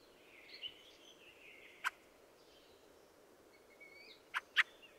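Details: Squeaky twittering fieldfare song with a single harsh chack midway and a close pair of loud, rasping notes near the end.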